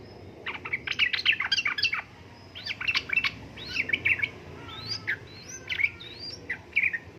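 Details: A female sooty-headed bulbul calling for a male: busy bursts of sharp chirps give way to scattered rising whistled notes, with a faint steady background hiss.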